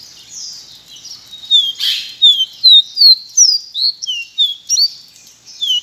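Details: Pileated finch (Sporophila pileata, caboclinho branco) delivering a steady string of about ten ringing, downward-sliding whistles, roughly three per second, against soft background twittering.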